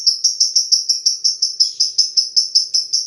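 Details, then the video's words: Lovebird giving a long 'ngetik' (typing-style) chatter: high, sharp ticking notes repeated steadily about five times per second, around seventeen in a row, each clipped and bright with a faint upper overtone; no other sounds. "Love bird ngetik ngetik panjang"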